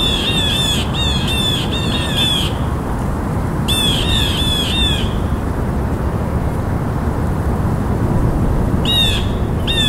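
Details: Blue jay calling in rapid runs of harsh, slurred notes, about five in quick succession, another burst of four near four seconds, then two more calls at the end, against constant low-pitched rumble.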